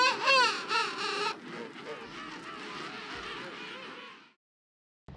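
A King penguin gives a loud, wavering, trumpet-like call for just over a second, followed by a noisy chorus of other colony birds.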